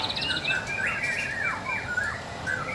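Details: White-rumped shama, a caged bird hung up to sing: rich, fluid whistled phrases with quick slurred rising and falling notes, varied and continuous.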